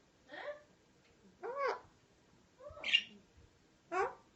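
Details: A pet parrot vocalizing: four separate rough, harmonic calls, each under half a second, spaced about a second apart, a few bending upward and one sharper and brighter than the others.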